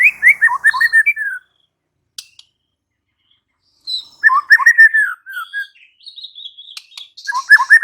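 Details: White-rumped shama (murai batu) pouring out rich song: bursts of rapid, tumbling whistled notes that rise and fall, separated by silent gaps, with some higher chirps mixed in.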